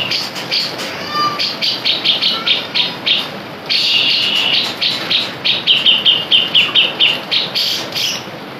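Grey-cheeked Bulbul pouring out bright, chattering phrases of quick repeated notes, high and lively, in bursts about every half second, with faint background hiss.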